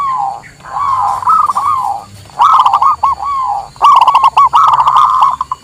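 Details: Local zebra dove cooing for luring and master training: rippling, wavering coos, rising and falling in phrases, with crisp clicking sounds over some notes.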